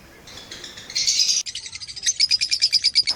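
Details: Pakistani pet lovebirds in blue opaline and parblue opaline colors give a harsh buzzy screech, then a quick train of piercing high chirps, about eight per second, loud and clear.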